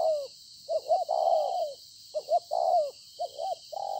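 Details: Spotted dove decoy caught in the field, Konlong, 26 September 2020: repeated coo phrases of short rising notes and a long falling coo, roughly every one to two seconds, with steady hiss.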